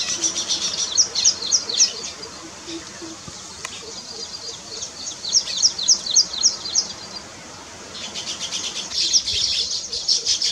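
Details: Nest-building weaver bird giving bursts of rapid high, ticking chirps, with a quiet pause midway and a dense, sizzling burst of chatter near the end.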